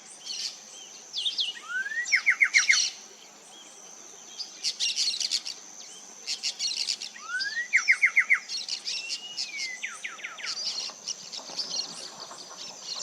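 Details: Coraya Wren singing in the Amazon rainforest interior in Loreto, Peru: rising slurred whistles that break into quick runs of repeated notes, with other birds' high chatters and a steady high insect whine behind.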